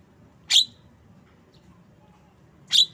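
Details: Javan myna: a single coarse, buzzy chirp, a long quiet gap, then a second similar chirp over a low hum.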